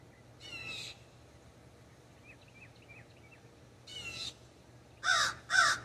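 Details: Common raven perched in an ash tree in a backyard: four harsh, hoarse caws, the last two louder and quick together, with faint high chirps from a small bird between them.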